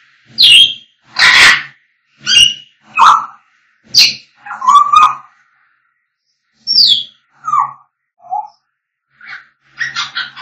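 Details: African grey parrots singing and whistling: a varied series of loud, short notes, some clear whistles near mid pitch and others harsh and broadband, coming in irregular bursts about once a second, with pauses between groups.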